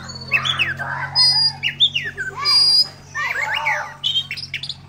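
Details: Oriental magpie-robin chattering in ngobra style with tail opened: harsh squawky notes, slurred chirps and brief sharp whistles in uneven bursts over a constant low hum.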